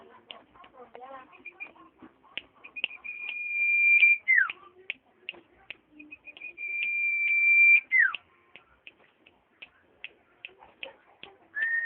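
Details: Common iora singing twice: each phrase is a drawn-out high steady whistle ending in a steep downward slide, the pair separated by about four seconds of short clicks and chips, then a fresh whistle beginning at the end.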